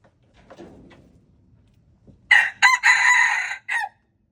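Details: Red junglefowl crowing, recorded February 26, 2025: after faint low rustling, a loud harsh crow in several segments, rising then held, ending with a short separate final note.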